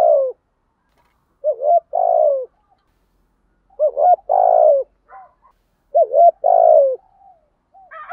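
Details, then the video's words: Decoy spotted dove cooing to draw in wild doves: low, mellow phrases, each a short double note followed by a longer rolling croo that slides downward, repeated about every two seconds with quiet gaps. Faint higher chirps come near the end. "chim cu gáy mồi bài bản thuc gù giọng nhạy bổi, bổi nghr xiếng gáy"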